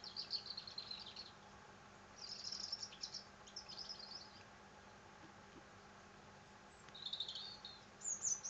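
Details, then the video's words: European robin song: a series of short, high, tinkling warbled phrases, each about a second long, some with rapid trills. Pauses of varying length separate the phrases, and a final thin, piercing high note follows. The background is quiet. "le chant du rouge gorge"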